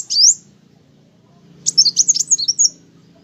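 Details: An olive-backed sunbird gives a rising, sweeping high whistle, then after a pause a quick jumble of thin, very high chirps and twitters lasting about a second, with faint low background hum.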